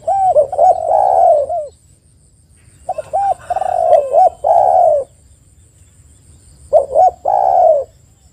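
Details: Spotted dove lure call meant to prompt other spotted doves to call: three phrases, each of quick looping notes ending in a drawn-out, slightly descending coo, separated by silent gaps of about a second.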